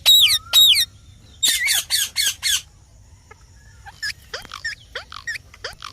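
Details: Green parrot giving two loud bent squawks, then a fast run of four harsh rasping squawks, followed by quieter clipped chirps toward the end.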